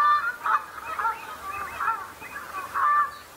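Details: Shelducks in a flock at the start of the breeding season, sparring to settle rank and impress mates: rapid nasal honks roughly every half second, with short whistled notes sliding into each burst.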